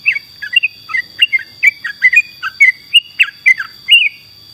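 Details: Yellow-vented bulbul in full, lively song for tutoring songbirds: an even series of short, slurred, chirping whistles, some rising and some falling, about three per second, over a steady high-pitched electronic whine.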